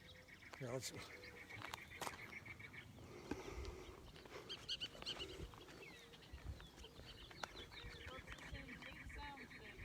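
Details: Cactus Wren on a morning desert bird walk on Chuckwalla Road, Cottonwood, Arizona, near Dead Horse State Park, gives harsh, rapid, chugging chatters in bursts at the start and end, with a man talking and other birds calling faintly.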